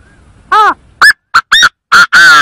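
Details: Chinese francolin call used as a trapping lure: six loud, hoarse notes in a quick series, one falling note first, then short clipped syllables ending in a longer drawn note, with a clean quiet background.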